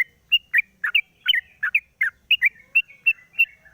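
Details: Morning song of a sooty-headed bulbul, cage cover just lifted, played to draw out song from other birds: lively run of short, bright, bubbling notes repeated about three times a second, some paired, on a quiet background.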